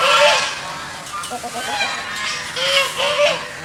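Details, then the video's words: Geese on a pond give short, hoarse honks at the start and again near the end, separated by a stretch of quieter, clipped chatter over a hissy background. "Goose Sounds ।। Goose Call । Goose birds swimming and making noise in the pond."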